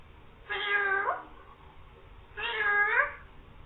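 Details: Green parrot imitating "meow" and saying "mian mithu": two long, rich cat-like calls, each rising then dipping at the end, about two seconds apart, in a quiet room.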